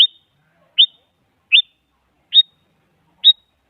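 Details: Female sooty-headed bulbul calling for a male, used to get a quiet bulbul to answer: five clipped, bright chirps spaced under a second apart, each with a short whistled tail.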